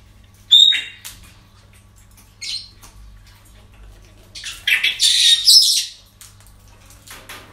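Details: Parrots at a breeding centre: a sharp squawk, a brief pause, then a longer run of overlapping harsh, noisy screeches lasting about two seconds.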